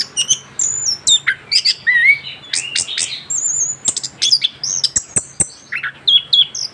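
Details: Young orange-headed thrush singing after its moult, a kept bird; long whistled slurs, trills and sharp chips mixed in a rich varied warble.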